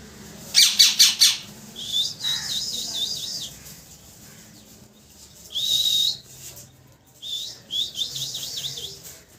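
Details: Parrot chirping loudly: a few sharp, stacked chirps, then bursts of high wavering whistles rising and falling quickly, with quiet gaps between bouts.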